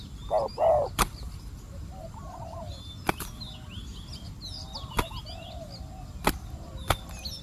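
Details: Decoy spotted dove calling to lure wild doves, with an aggressive wild bird nearby: a loud double coo, low and rounded, opens the recording, then soft distant coos amid repeated sharp clicks and thin twittering from small birds.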